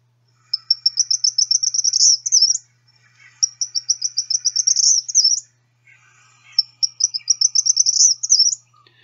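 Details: Eastern Kingbird reference recording: three bursts of harsh, rapid, high, sputtering squeaks, each about two seconds long and ending in a sharper buzzy note.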